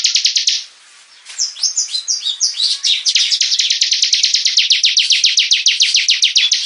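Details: A bar-winged prinia in full song: rapid loud chips, a short pause, then a tumbling run of varied notes that settles into a long, fast, even series of sharp repeated high notes.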